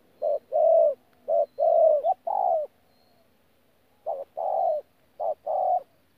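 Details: Wild-caught spotted dove, Tu Mơ Rông, 14 January 2019: a run of low coos, short notes alternating with longer sliding ones, a silent gap of over a second, then two more paired phrases.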